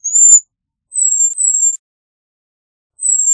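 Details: Thin, piercing high whistles from a cedar waxwing, each note slightly falling in pitch, with two run close together and another after a pause; nothing else audible.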